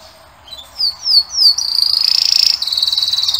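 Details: Singing male canary giving three clear descending whistled slurs, then breaking into a fast, bright, steady trill high in pitch.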